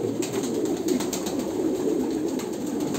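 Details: Brief stretch of Kolkata pigeons giving low, throaty coos that blend into one steady murmur, with light tapping noises.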